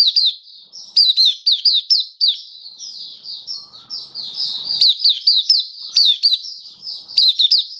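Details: Oriental white-eye (mata puteh) of the Kitaro type, a caged songbird tested with a song booster in October 2022, pouring out high rapid twitters and slurred chips in clusters, with a brief thin warbling stretch and faint low rumble midway.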